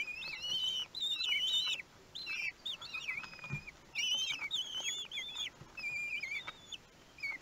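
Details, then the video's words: A brood of common kestrel chicks, one week old, begging at feeding time in Théding on 31 May 2020; dense, excited chorus of wavering, warbled high calls in rapid bursts, several chicks calling at once. "Repas d'anniversaire : 1 semaine - 31/05/2020"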